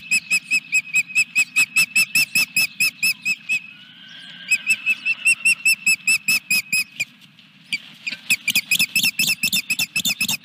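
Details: Osprey calling at the Dunrovin Ranch nest as fish is delivered, 14 July 2021: long runs of sharp, high whistled chirps, nearly three per second, briefly broken by a softer drawn-out whine before the rapid piping resumes. Constant low background hum.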